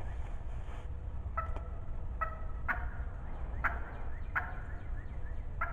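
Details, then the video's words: Talkative wild turkey hen at close range in spring 2020, calling loudly: a string of short, raspy yelps spaced roughly every half second to a second, over steady low-frequency background rumble. "Close talkative Hen turkey spring 2020 season"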